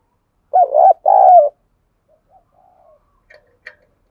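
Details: A decoy spotted dove cooing to provoke other doves, giving a close, loud two-note coo, a short hoot then a longer level one falling away, followed by faint distant coos and a couple of soft clicks.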